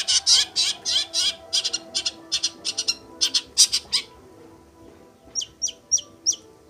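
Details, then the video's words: Long-tailed shrike in full song, offered as rich mimicry material: a burst of dense rasping chatter with rhythmic harsh notes, a short pause, then a few clear, sharply rising whistled upslurs. "CENDET GACOR"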